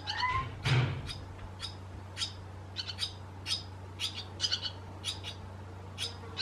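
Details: Barn swallows in Croatia giving short, sharp, high chirps in a loose irregular series, about two a second, with one louder thump and a brief whistle near the start over a steady low hum.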